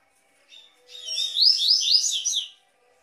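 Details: Double-collared seedeater song meant for warming up and training captive seedeaters: a clear, strong two-second phrase of rapid high rising and falling warbled notes, repeated in quick loops, with a faint low hum.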